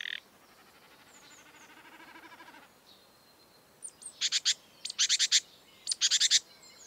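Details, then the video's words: Marsh warbler singing against a noisy background: a faint, even trill gives way to loud harsh buzzy bursts in groups of three or four, about one group per second; the species imitates European and African birds. "An exuberant marsh warbler (Acrocephalus palustris)"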